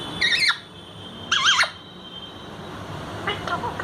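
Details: Talking parrot in an indoor setting, two short squawky vocal bursts with wavering, warbled harmonic tones, then a fainter trailing call near the end; quiet background hum between utterances.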